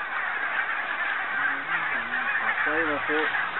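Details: Massed Barnacle Geese on Arran and Islay, 2009: a constant crowd of short, barking honks, with several nearer harmonic yelps rising and falling in quick succession toward the end.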